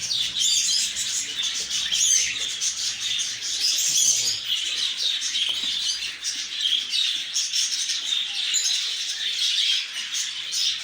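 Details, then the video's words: Lovebirds in a dense, continuous chorus of shrill, high chirps and squeaks. Many birds seem to call at once, with no pauses through the whole stretch. "طيور الحب"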